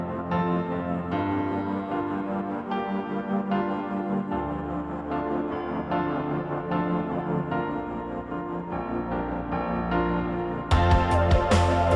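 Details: Soft ambient piano music plays throughout, with no birdsong or other animal sound.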